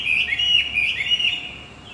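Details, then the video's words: Brief burst of rapid, high warbling from a Javan white-eye, a lure for a silent male, with quick wavering slurred notes that fade out near the end. "Pancingan kicau wambi macet"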